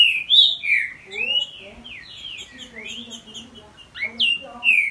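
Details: Captive male Green-winged Saltator and his young son in a song duel: loud whistled, slurred phrases sweeping up and down, overlapping, with fainter low chatter beneath.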